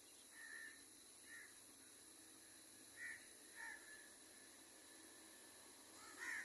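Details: Wild crows around a baby crow being fed, including angry calls: five short, fairly soft caws spaced irregularly over six seconds, the last one loudest, over a steady hiss.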